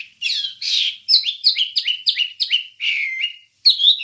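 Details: Wambie bird song for training songbirds: rapid, clear, whistled notes, each stepping down in pitch, delivered about three per second, with a longer buzzy note near the middle and a short burst at the end.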